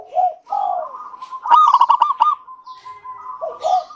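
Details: Local zebra dove singing, recorded as a lure to prompt other doves to sing: soft low coos, then a loud rapid stuttering burst of clipped notes, then a level cooing trail with faint high chirps.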